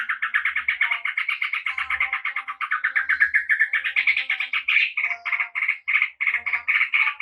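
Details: Yellow-vented bulbul, found wild in Java, in its rapid, continuous song used to lure other bulbuls into answering: dense bubbling, chattering notes poured out several per second without a break, with faint low thumps in the background.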